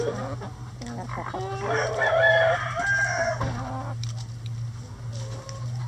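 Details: Backyard rooster crowing amid a flock pecking at a hanging head of cabbage as coop enrichment: one drawn-out, harmonic-rich crow swelling mid-clip for over a second, framed by short clucks from other chickens over a steady low hum.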